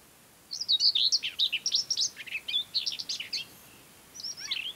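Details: Common whitethroat (Sylvia communis) singing in mid-May on Ona Island and in the Hustadvika area of Møre & Romsdal, Norway: a fast, scratchy, high warbling phrase of about three seconds, then the start of another brief burst; faint background hiss.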